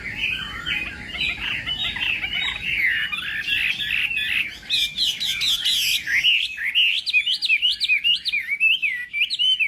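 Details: Contest-style morning song from a Chinese hwamei: a dense, scratchy, busy warble, then a few sharp clicks, then clean, loud, rising and falling whistles in rapid bursts.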